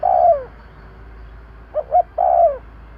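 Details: Spotted dove, a lure recording: the tail of a long falling coo, then a pause, then one full phrase of two short hoots and a drawn-out descending coo.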